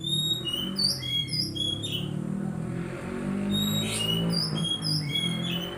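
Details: Magpie-robin song for training a young untrained bird to sing: bright short whistled phrases and downslurs, a brief harsh burst near the middle, over a loud steady low droning hum.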